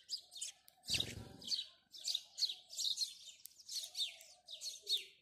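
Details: Steady morning chirping of house sparrows, short harsh chirps repeated roughly every half second, with a brief low rumble near the start.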